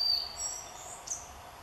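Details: At Palace Park, Białowieża, Poland, on 30 May 2016, a collared flycatcher gives thin, very high whistled notes, one drawn-out at the start and a short sharp one a second later, over soft outdoor hiss.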